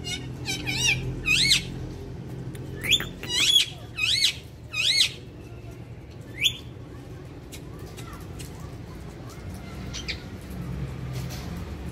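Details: A pet Indian ringneck (rose-ringed parakeet), kept as a talking parrot, gives a quick run of harsh, arching screeches over five seconds, then a few fainter, scattered notes above a low steady hum.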